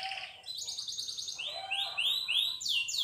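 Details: Canary in song, delivering a varied run: a fast trill of high notes, then a series of down-slurred whistles repeated about three times a second, ending in bright sweeping phrases.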